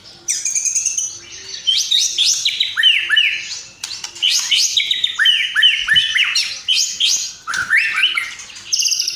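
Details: Persistent fighting-style White-rumped shama song filled with house sparrow, lovebird and sooty-headed bulbul imitations; a steady stream of loud, fluty descending whistles and slurred phrases, broken by short pauses.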